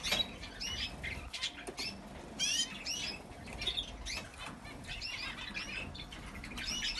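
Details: Nesting female star finch sitting on unhatched eggs gives high, thin chirps and short twittering notes at an irregular pace, mixed with bursts of wing flutter and rustling.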